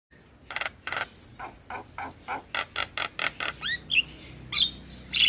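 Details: Javan myna in a tutoring recording mixed with other starlings: a series of harsh, buzzy, broadband notes, repeated at about one to two per second, with rising whistled slurs near the end.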